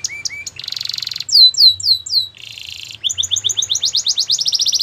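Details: Belgian canary song with quick chirps, a dense rolling trill, loud swooping down-slurred whistles, another buzzy roll, then rapid accelerating rising notes.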